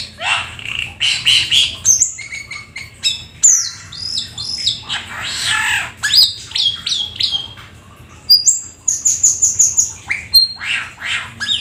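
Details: Black-winged starling song, full of variety: harsh raspy bursts, rattling chatters and clear downslurred whistles, with a quick run of high trilled notes near the end.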